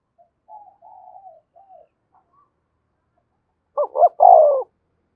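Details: Decoy spotted dove calling to rouse a caged, newly caught male. Faint wavering sounds come first, then after a quiet stretch a loud phrase: two quick looping notes and a long, hoarse, downward-sliding coo.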